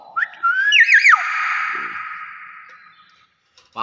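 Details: Nias hill myna producing a brief twisting whistled phrase of several quick up-and-down loops. A lingering tone fades away after it, and a short voice sound comes at the end.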